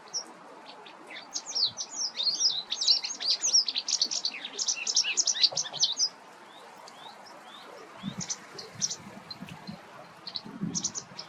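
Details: White wagtail in a dense run of bright, high chirps and slurred twitters for about six seconds, then a quieter stretch of scattered single chirps with faint low background rumble.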